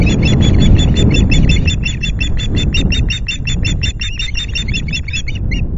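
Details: Osprey calling at its Loch Garten nest on a July afternoon as fish is delivered: a loud, rapid run of high whistled chirps, about three per second, slightly uneven, continuing for over five seconds above low wind noise.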